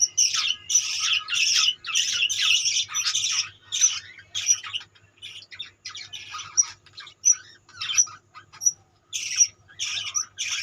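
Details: Budgerigar colony with dense overlapping squawks and chirps, busy bursts at first, then sparser sharp whistled notes, then chatter again, over a steady faint low hum.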